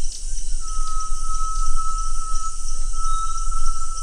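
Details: ['Great tinamou giving one long, pure, steady whistled note that holds at an even pitch for over three seconds, over a constant high insect hiss and low rumble.']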